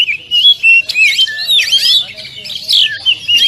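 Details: Rapid, varied whistling of an Oriental magpie-robin, used to train caged birds in the 'tembakan rapat' style, with sliding notes and quick rasping trills crowded together.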